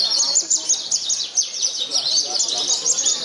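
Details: Caged Javan bush lark in a Purworejo singing contest under strong wind, where it won first place; a sustained, shrill stream of quick chirps and sweeping high notes, several similar songsters layered together, distant chatter faint.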